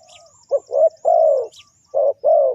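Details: Spotted dove cooing to lure wild birds for trapping: a short note, then a row of deep, throaty coos, one long and drawn out, with faint thin high twittering from small birds above.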